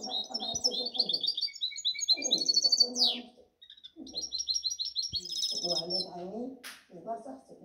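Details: A pet goldfinch hybrid (mixto), 2019–2020, sings a fast, twittering song of bright, high trills and tinkling notes, with people talking over it and a brief click.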